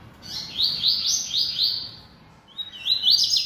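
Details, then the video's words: Bahia seedeater (coleiro baiano), described as bold and singing a lot: a short phrase of repeated high, slurred whistled notes, a brief pause, then another quick burst of high notes. "Coleiro Baiano Atrevido Cantando Muito"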